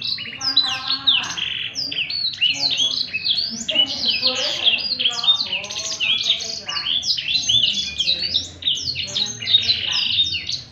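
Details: Blackthroat singing continuously in the 'ngerek' style, prized as a tutor song for other birds: a steady torrent of high, varied chirps, twitters and short slurred whistles without any pause.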